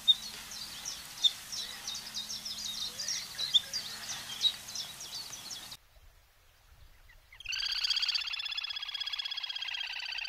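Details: Little grebe from a sound guide to the birds of Córdoba: a run of short high ticking notes, a brief silence, then a loud, rapid, high-pitched pulsing whinnying trill held for the last few seconds.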